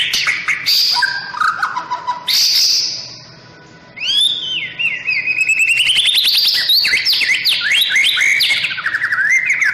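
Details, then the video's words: White-rumped shama sunbathing in the morning, pouring out a loud, varied song: bright whistles, buzzy rattling notes, and a long run of quick rising and falling whistled phrases near the end. "Masteran burung murai batu saat di jemur pagi pagi"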